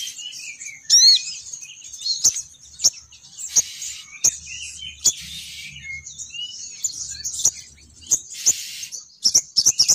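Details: Female sogon bird calling to lure males downward. Scattered high chirps and short twittering phrases are interspersed with sharp clicks and a brief rasping burst near the end.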